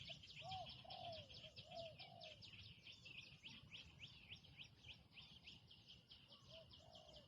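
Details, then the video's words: Spotted dove, a new bird out for its first training session, utters a few mellow low coos early on, then fainter ones, beneath dense rapid high chirps from other birds and background noise. "นกเขาใหญ่ต่อดิน ฝึกนกใหม่ออกฝึกครั้งแรกพอได้ยินเสียง"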